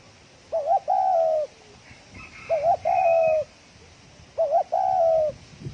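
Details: Very fast thổ còi cooing by a spotted dove: three phrases, each a short two-note warble followed by a long, steady coo falling at the close, with a faint higher twitter in the middle.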